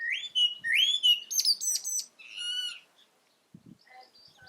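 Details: Common blackbird calling: two rising fluted whistles near the start, then a burst of high, squeaky twittering notes, followed by quiet with a few faint soft sounds.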